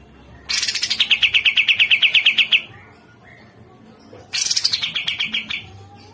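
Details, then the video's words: Grey-cheeked Bulbul, called cucak jenggot, in a masteran recording: a high opening that drops into a steady rapid pulsed chatter for about two seconds, quiet, then a shorter repeat of the same pattern. "Masteran Cucak Jenggot"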